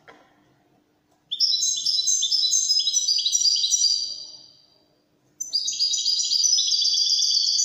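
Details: Moroccan Wydani song of a European goldfinch: two long bursts of high, rapid, rippling twitters, the first descending in steps, the second climbing higher, with silence between.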